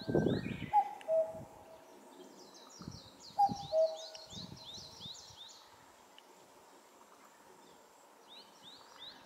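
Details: Common cuckoo (Cuculus canorus) on a highland in May 2024 gives two clear falling 'cuck-oo' calls about two and a half seconds apart, under the high, twittering song of another bird.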